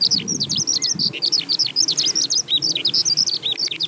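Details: Singing skylark ascending in song flight, the agehibari of spring haiku. Bright, piercing chirps and slurred whistles run together at high speed, with a soft low murmur of background noise.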